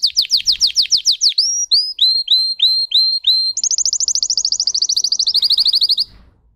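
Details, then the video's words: Russian canary, a singing breed, runs through song variations: fast falling notes, five or six rising whistled hooks, then a long rapid buzzy roll that stops abruptly, leaving quiet. "Canary Singing"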